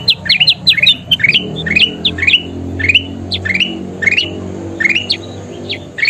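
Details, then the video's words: Bulbul known locally as kutilang emas, singing to prompt caged birds to sing. Bright, clipped rising notes repeat in rapid uneven runs against a low rumbling background. "SUARA KUTILANG EMAS GACOR PALING DICARI"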